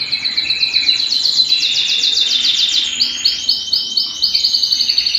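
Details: Canary singing at home, rapid pulsed trills repeated about four times a second, high and bright, changing into a choppier rolling trill midway.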